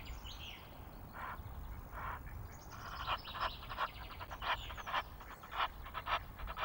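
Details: Egyptian geese at Loch of the Lowes, Scotland, recorded by webcam on 5 March: scattered harsh honks build into quick repeated bursts, with distant birds chirping in the background.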